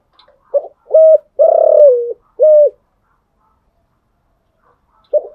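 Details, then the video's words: Morning coo of a kept spotted dove: a soft lead-in note, two short hollow coos, a long burry coo dropping at its end, and a final coo, then a pause before the phrase begins again. "Tiếng chim gáy buổi sáng"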